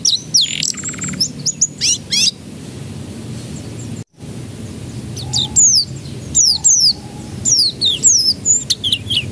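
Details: Canary song used as a lure to get young canaries to start singing: high chirps and trilled phrases, a brief silent break, then rapid repeated downslurred whistles over steady low background hum.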